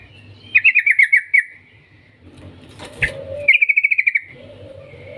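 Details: Yellow-vented bulbul lure song with long trills: two rapid bursts of about eight bright chattering notes each, separated by a pause with a brief flutter, followed by a low mellow warble.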